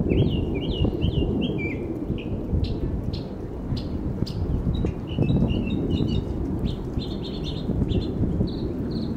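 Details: Probable Northern mockingbird in a residential neighbourhood sings quick, varied chirping phrases, repeating each a few times before switching, over a heavy low rumble of wind or distant traffic.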